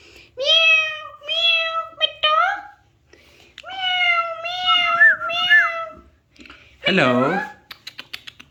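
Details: Alexandrine parakeet talking indoors, giving drawn-out nasal meow-like phrases in two groups, followed by a short harsh wavering call and a few faint clicks.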